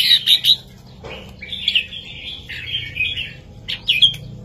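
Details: Red-whiskered bulbul, southern master-song style for teaching young birds: quick chirpy notes, then a slurred warbling run and a final sharp upward flourish, with a low thud near one second.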